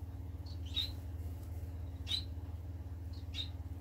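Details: Society finches recorded on 25 March 2020: short, high, clipped chirps spaced about a second or more apart, some paired, over a steady low electrical hum.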